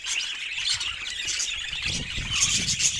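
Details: Kept budgerigar warbling in a continuous high, scratchy twitter with short squeaky notes, while soft low thumps and rustling sit underneath.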